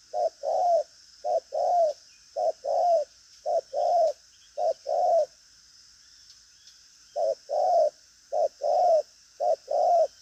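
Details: Caged spotted dove giving persistent 'thúc gù' cooing. Runs of low short-long coo pairs repeat steadily, break off for about two seconds of quiet, then start again at the same pace.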